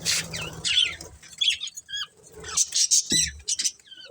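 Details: Pet budgerigars chirping: separate whistled notes that rise and fall, short sliding tweets and clicks with gaps between them, plus a few low thumps in the background.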